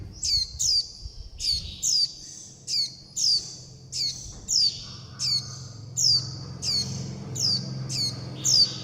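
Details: Juvenile Warbling white-eyes calling for their mother and the flock and asking to be fed give roughly fourteen piercing, descending high chips, spaced about every half second, over a faint low hum.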